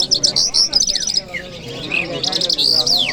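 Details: Lark song from Kabul city on a Friday morning: rapid stuttering trill series, then a couple of falling whistled slurs, ending in a bubbling warble and a long downward sweep.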